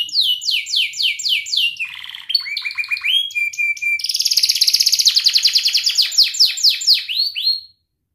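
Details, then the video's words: Canary song for teaching young birds, with ngerik and cuit cuit phrases: a series of descending chirps, a low buzzy stretch, rising slurs and a flat whistle, then a dense rolling trill that fades out. "Kenari gacor NGERIK Cuit Cuit Ngerol nembak - Pancingan kenari paud belajar bunyi"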